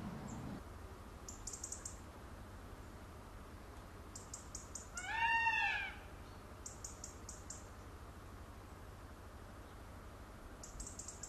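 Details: A displaying peacock, feathers fanned, gives one loud, wailing, nasal cry lasting about a second, rising then falling; faint insect-like chirps and a steady background hum fill the rest.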